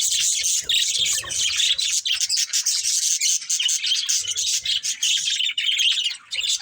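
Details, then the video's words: A group of pet budgies playing fills the air with loud, continuous, rasping warbles and rapid chirps, barely pausing, with faint low knocks in the background. "Cute Budgies Chirping Sounds"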